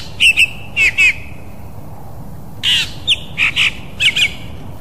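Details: Calls of an African fork-tailed drongo: paired twangy, nasal metallic notes, then a rasping burst leading into further quick twangs. Two phrase groups about two and a half seconds apart, with quiet hiss behind.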